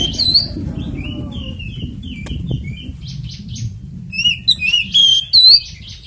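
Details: Oriental magpie-robin giving a fighting-style ngeplong tarung song, used as a lure to set other magpie-robins singing: loud bright whistled slurs open and close it, with a softer run of warbled notes between and a low rumble underneath.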